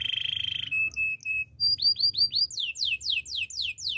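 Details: Training song of a canary: a fast buzzy roll, a few short separated notes, then a quick run of downward-sweeping whistles, about five each second.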